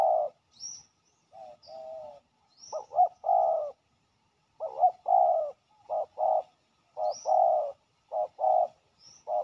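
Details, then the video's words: A fierce territory-holding male spotted dove calls toward a decoy set on the ground. It repeats a husky, low cooing phrase in quick pairs and triplets, pausing between groups. Thin high chirps from other birds break in now and then. "ต่อดินนกเขาใหญ่ มาเร็วเคลมเร็ว!! จ้าวถิ่นดุมาก"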